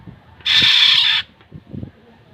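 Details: Black-naped oriole, locally called kilyawan: one harsh, raspy, broadband call lasting about three quarters of a second, followed by faint low background sounds.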